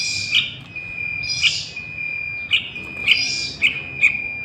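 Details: Fledgling sooty-headed bulbul calling, played as bait for wild birds: breathy, hissing rasps alternating with short clipped chirps, spaced roughly a second apart, over a steady high tone.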